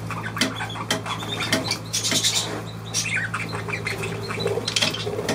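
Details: Budgerigar squawks and rasping chirps pour out in uneven clusters, some louder harsh bursts mid-way, over a continuous low mechanical hum.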